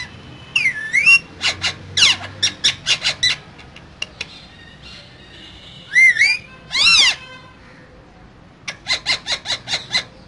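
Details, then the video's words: Green parrots, two together in a cage, giving rapid clicking bursts, swooping whistled notes and harsh arched squawks, with pauses between phrases. "Two Green Cute Parrots Talking In Cage So Cute"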